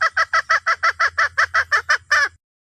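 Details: Jungle hen summoning the rooster: about a dozen evenly spaced, sharp clucks in fast succession, the last slightly longer and rougher.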